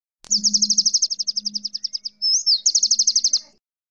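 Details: Long-tailed shrike master song used to train cage birds: a rapid, clean burst of high, identical notes, about four per second, broken by a brief slurred whistle, then the quick series resumes.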